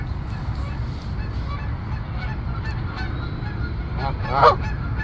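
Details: A Canada goose gives one loud nasal honk near the end, over steady low rumbling background noise with fainter goose calls throughout, on a sunny day in Canada.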